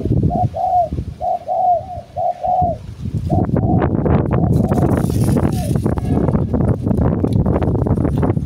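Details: A domestic decoy spotted dove gives a run of soft, low, hollow coos in quick succession, then loud rustling and knocking noise takes over the rest of the recording.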